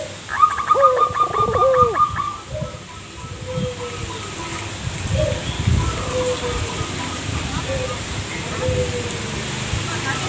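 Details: Local zebra dove kept as a lure bird, opening with a rapid staccato run of notes that leads into soft mellow coos, then further drawn-out coos repeated every couple of seconds over steady rain-like background noise.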